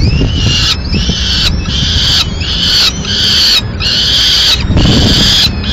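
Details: Peregrine falcons in Madrid as the male brings a swift and feeds the chicks, tearing it rather than giving it whole. Harsh, raspy, drawn-out calls come in a steady series, each under a second, over a low rumbling background.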